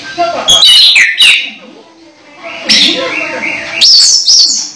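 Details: Orange-headed thrush close to moulting, still singing keenly: short loud bursts of scratchy twitters and rising whistles, with quieter gaps between phrases.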